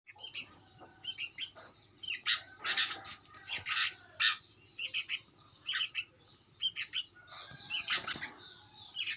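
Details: Sooty-headed bulbul chick giving scattered high, sharp chirps and short buzzy notes in irregular bursts, some louder clusters around the middle and near the end, over a faint low hum.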